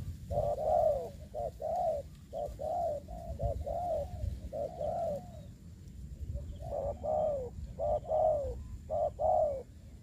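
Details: Trapping decoy spotted dove, Dong Nai, Vietnam, Covid-19 season: repeated hoarse coos in a steady pattern, a short note followed by a longer falling one, about once a second across the recording, with a pause midway and low background hum.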